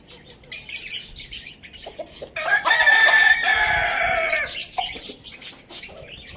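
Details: Rooster crowing on a village farm where roosters are eating tomatoes: a loud, harmonic crow of about two seconds rising then holding steady, between short clucks and scratchy farmyard noises.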